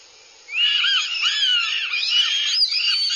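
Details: Northern goshawk chicks behaving aggressively at a nest watched by a live camera in Abernethy, Scotland, July 2022: overlapping high, wavering screechy cries that slide up and down, starting abruptly and running on without a break.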